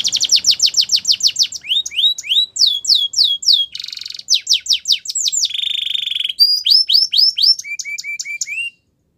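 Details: Song of a Spanish Timbrado canary in clear phrases: quick rattling trill, rising slurs, a harsh buzz, falling notes, a steady low grating rattle, and short clipped notes at the end.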